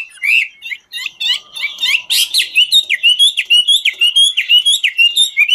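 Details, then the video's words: Chinese hwamei singing in the ngũ trường style while dancing; bright warbled phrases open the clip, then a fast run of rising, slurred whistled notes repeated about twice per second with buzzy overtones. "Họa mi ngũ trường hót múa cực chất"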